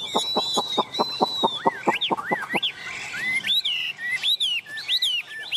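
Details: Chinese hwamei perched on a hand, tame: a run of about ten sharp, evenly spaced clicking notes, then loud looping whistles rising and falling in separate phrases.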